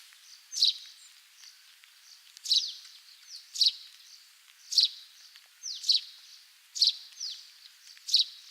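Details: Wild Russet sparrow song recorded in Hokkaido, Japan: seven bright, clipped chirps spaced about a second apart, with faint descending slurred notes before several of them.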